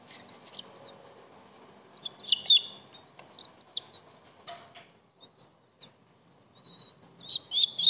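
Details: Bald eagle calls from a nest where the eldest eaglet attacks its third sibling: scattered thin, high whistled chirps with slight upward slurs, a brief loud rustle midway, then a sharper cluster of chirps at the end.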